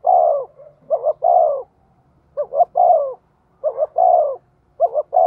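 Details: Spotted dove used as a lure for wild doves, giving a run of cooing phrases. Clipped paired notes are followed by a longer, falling, hollow coo, repeated roughly every second and a quarter, and a new phrase starts at the end.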